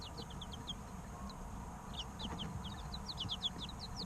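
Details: Three-week-old chicks peeping in short, sharp, falling notes, sparse early on, then denser and overlapping as several chirp together against a quiet hiss.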